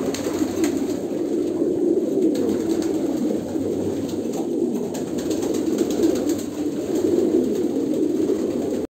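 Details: Steady massed cooing of Kolkata pigeons, low and rolling, swelling slightly at times, with faint scattered clicks in the background.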